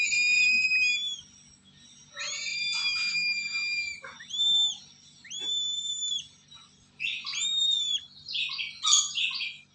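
A lesser sulphur-crested cockatoo chick gives high, arched whistled calls, repeated about once a second, with harsher squawking bursts toward the end.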